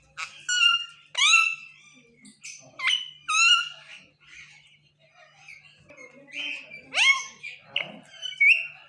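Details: Talking pet parrot attempting new words, giving sharp downward-sweeping squeaks and harmonic chatter in uneven bursts, a quieter muttering stretch midway, then louder rising and falling whistles toward the end.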